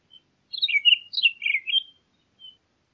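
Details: Townsend's solitaire phrase: a tight cluster of warbled, sliding notes for about a second and a half, then a faint soft note.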